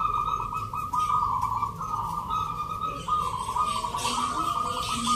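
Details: Local zebra doves at a rhythm-song contest in Yogyakarta, Indonesia, on a Sunday, 19 November, judged in the Nglagu Ngepat Mentaraman style. Rapid trilled, bubbling coos run almost continuously, with a short pause near three seconds and faint crowd noise.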